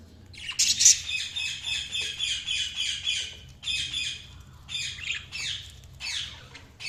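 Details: Budgerigar chirping in rapid repeated bursts, about four harsh buzzy notes a second, delivered in runs separated by short gaps, with a faint hum behind.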